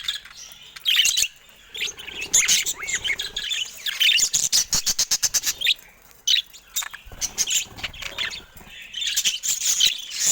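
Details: Caged budgerigars, several birds, near a camera they peck at. Busy high warbling chatter with quick chirps and squeaks, then a fast run of sharp tapping clicks midway, followed by more warbled twittering.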